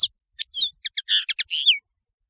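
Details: Song of the European serin: quick high chirps and downslurred whistles broken by short gaps, ending in a bright falling twitter.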